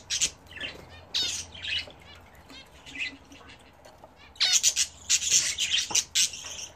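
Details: Home-kept budgerigars bathing: scattered squawky chirps and short warbles, then loud bursts of rapid high chatter mixed with fluttering wingbeats in the second half.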